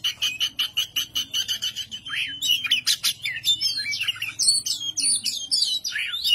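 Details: Caged oriental magpie-robin in ngobra display, an agitated performance meant to provoke rivals; a run of rapid sharp chips repeated several times a second gives way to varied whistled and rasping phrases, with a faint low hum underneath.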